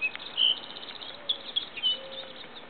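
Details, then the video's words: Song Sparrow (nominate subspecies Melospiza melodia melodia) gives a few short, bright, high notes scattered across a couple of seconds over a steady hiss of background noise. "Bruant chanteur (Melospiza m. melodia, Song Sparrow)"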